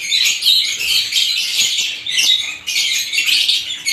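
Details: Lovebirds of several kinds produce an almost unbroken wall of high, buzzy chirping and squealing, with one brief drop just past the halfway point.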